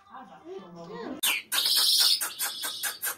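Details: Mashadi lark (Iranian/Afghan) sings loud, high, buzzy phrases broken into quick pulses about four a second, after a brief low human voice at the start.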